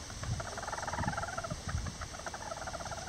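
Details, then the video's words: Lavender bantam chickens, miniature roosters and a hen building a nest together, give soft, rapid runs of murmured clucks, some rising and falling in quick trilled series, over low scratching and rustling thumps. "Chicken Sounds Lavender Bantam"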